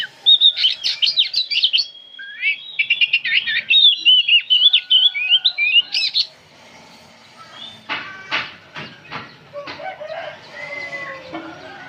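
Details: Old oriental magpie-robin, kept as a cage bird, singing nonstop: a dense run of rapid whistled and chattering notes for six seconds, then a quieter stretch of harsh, buzzy downstrokes and softer warbles.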